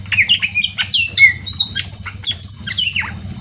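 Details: Greater green leafbird song meant to spur other birds to sing: rapid, varied whistles and slurred downward notes in a continuous stream, with a steady low hum underneath.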